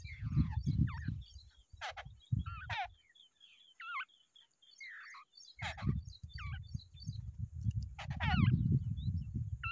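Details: Wild babblers, both birds together in the nest, make squeaky looping and descending nasal calls mixed with harsh bursts, over heavy low rumbling noise with a quiet gap midway.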